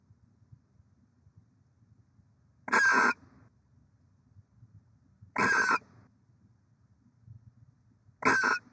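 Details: Barn owl pair at their nest in Oceanside, California, on 23 December 2023, the sixth egg laid: three harsh, hissing screeches, each under half a second, spaced about two and a half seconds apart over a quiet, low background hum.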